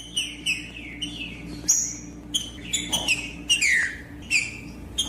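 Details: Green-winged saltator (trinca-ferro): female calling to stir a quiet male into song, with a male singing. Slurred whistled notes mixed with sharp high chirps, irregular, about one and a half per second, over a faint low hum.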